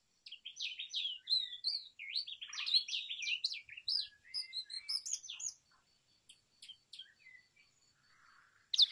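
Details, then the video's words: Brown rock chat delivering a long, dense stream of mixed chirps, slurred whistles and squeaky notes for over five seconds, then fading to a few isolated soft calls. "Brown Rock Chat Call Brown Rock Chat Song , Sounds Brown Rock Chat Voice"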